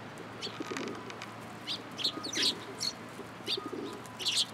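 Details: Sparrows flocking to a cherry tree at a Tenmangu shrine, March 2023: bright, sharp chirps come in quick clusters over a faint steady hum.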